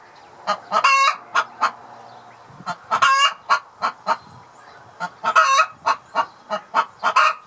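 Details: Domestic hen from Southland, New Zealand, making a fuss after laying her egg: rapid, loud clucks alternating with several strained, rasping squawks, the pace uneven and sometimes pausing before resuming.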